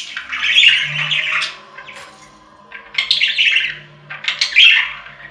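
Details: Pet budgerigar warble for lonely budgies: three phrases of chirpy, buzzing chatter, the first long and busy, followed by two shorter bursts after quiet pauses.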